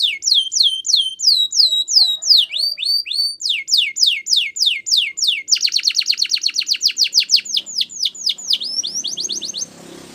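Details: Canary song for training, a run of tours: rising whistled sweeps repeated about three per second, then a fast buzzy trill of steeply falling notes, ending in a brief rolling phrase fading into quiet.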